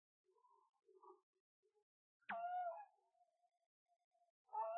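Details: Common cranes at Gallocanta lagoon, Spain, in an arid zone with cold winters: a loud, clear trumpeting call with a sharp start, then a steady ringing note; a second call begins near the end after faint distant murmuring.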